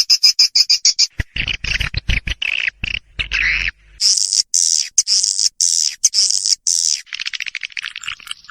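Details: Lure recording to attract swiftlets: fast high twittering and buzzy chirps, a lower raspy section near the middle, then sustained high chatter and quick clicking trills at the end.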